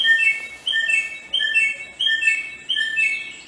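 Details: In the wild, a samyong (Bare-throated Whistler) repeats a short whistled phrase of a few clear notes stepping downward, the phrase returning roughly every 0.7 seconds over a quiet background.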